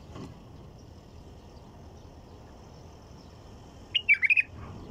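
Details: After a long quiet stretch of low background noise, a white-eared bulbul delivers one fast phrase of about five bubbly, slurred notes.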